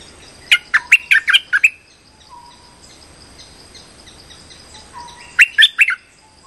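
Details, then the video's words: Trapping lure call of a streak-eared bulbul: a burst of about six sharp chirps, a long pause with faint low whistles, then a second burst of four chirps. A steady faint hiss runs beneath. "Suara pikat merbah lekir gacor"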